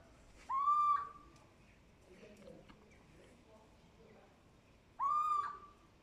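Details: Little owl uttering two clear, plaintive calls about four and a half seconds apart. Each is an upslurred mewing note that flattens out and fades, against a quiet background.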